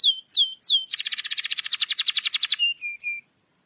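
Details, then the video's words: Canary singing, used to stimulate a reluctant canary to sing: three drawn-out downslurred whistles, then a quick rolling trill of about twenty clipped notes, finishing with short thin high pips. "PANCINGAN KENARI MALAS BUNYI"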